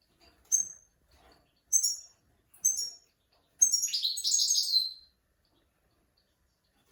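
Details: Goldfinch song used for training young goldfinches and mules: a few short high chirps, then a dense buzzy twittering phrase lasting about a second and a half.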